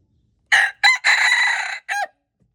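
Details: Crow of a red junglefowl, February 13, 2025: four loud harsh bursts, a short note, a quick second note, a long strained middle note, then a clipped final syllable, with a silent background.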